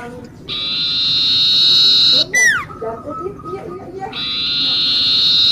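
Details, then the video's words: Common iora in lively song, used for luring birds: a long buzzy trill held for about two seconds, a sharp falling whistle, scattered soft chips, then another extended buzzy trill. "sirtu,cipoh gacor buat pancingan"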